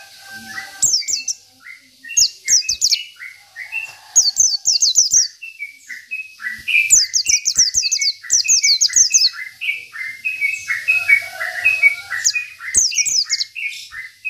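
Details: Local Indonesian oriental white-eye singing in full voice, a fast, high jumble of thin twittering notes with sharp descending slurs in bursts every second or two, a recording meant as a tutor song for other birds.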